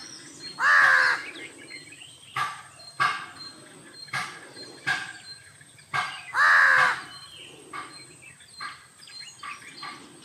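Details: Jungle babbler grooming; harsh, loud nasal mewing calls twice, separated by sharp clicking taps and short chattering notes, in a fairly quiet setting.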